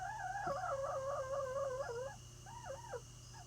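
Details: In a dark coop at night, chickens that have heard the house door open as their keeper approaches give a long, wavering, mid-pitched warble rising and falling for two seconds, then shorter quavering notes, over a steady low electrical hum.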